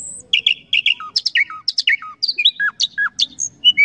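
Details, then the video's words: Common nightingale sequence of paired chirps followed by falling whistled notes, repeated in a lively, irregular rhythm with crisp high accents. "Common Nightingale Songs"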